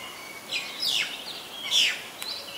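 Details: Common myna recorded in Ubon Ratchathani, Thailand, on February 24, 2022: two loud, sweeping whistled calls, each sliding down sharply, followed by a brief click and a soft high note over faint background hiss.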